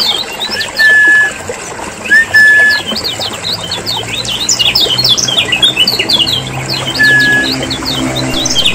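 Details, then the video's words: Lemon-bellied white-eyes from Lombok, recorded as a lure to get caged birds singing: a busy chorus of short high chirps and twitters, with clean level whistles at intervals underneath and a steady hiss. "PANCINGAN PIKAT SUARA KECIAL KUNING RIBUT"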